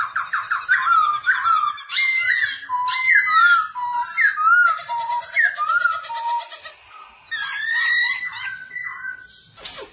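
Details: Black-throated laughingthrush singing while dancing, used to teach young birds: quick stuttered notes, then repeated loud falling whistles about once a second, a harsh buzzy stretch, and bright upslurred calls.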